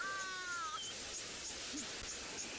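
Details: At sunrise, around 5 AM on 28 December 2017, at Djuma Game Reserve in Sabi Sand by Kruger Park, South Africa, among giraffes and oxpeckers, a Hadeda Ibis gives one drawn-out, nasal, slightly falling "strange" call under a second; faint high chirps, steady hiss follow.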